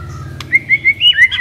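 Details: White-rumped shama decoy bird whistling a quick sequence of clear, evenly spaced notes that step gradually higher before a downward slur, over a steady low background hum.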